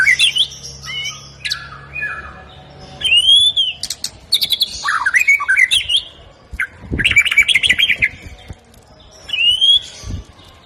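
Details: White-rumped shama, Medan variety, in full song with borrowed phrases of ciblek, cililin and jenggot kapas; high ringing whistles, upslurred notes and buzzy chattering bursts in separated loud outbursts with short pauses.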